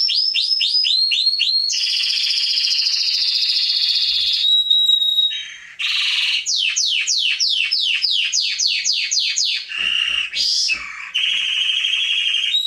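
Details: A canary (Serinus canaria) sings a loud, varied song of rapid descending trills, buzzy rolls and sharp high whistles, changing phrase every second or two; meant as a training recording for young birds.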